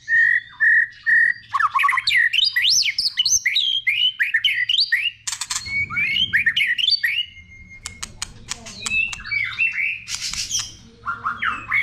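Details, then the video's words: Multi-voiced song of a white-rumped shama, played to stimulate other shamas: steady paired whistles at the start, then quick rising and falling warbled phrases, scattered sharp ticks, and varied whistles at the end. "Chòe lửa hót nhiều giọng"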